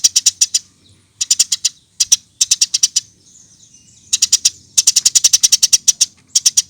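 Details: Lure recording of a Eurasian tree sparrow: clusters of shrill, rapid chirps, some runs of three to five notes, one longer burst of over a dozen, with a soft high thin note in a quiet gap.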